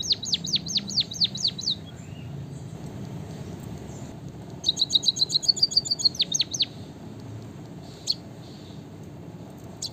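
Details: White-headed munia, locally emprit kaji, gives two bursts of high song: first a series of descending whistled swoops, then after a pause a rapid ticking run that ends in falling slurs. Otherwise quiet.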